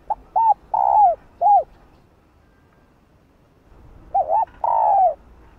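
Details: Cooing of a female spotted dove meant to stir males into calling; a phrase of arched coos around a long downslurred note, then a second phrase after a quiet gap.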